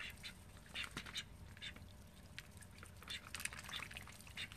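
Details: Thirteen call ducks kept at home, giving a scattered flurry of short, raspy quacks that overlap and come in quick bursts, fairly soft throughout.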